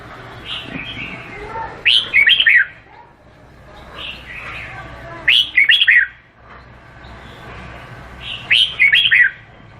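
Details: Red-whiskered bulbul, called Vietnamese, singing short loud warbled phrases of quick rising and falling whistled notes, about three phrases spaced several seconds apart, with softer chatter between them over a low steady hum.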